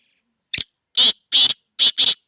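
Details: Black francolin, a 'speeder' kala teetar kept for sale, gives five loud, harsh, grating notes: one short clipped note, then two broad rasping ones, then a fast pair. The notes are spaced about a third of a second apart, with silence otherwise.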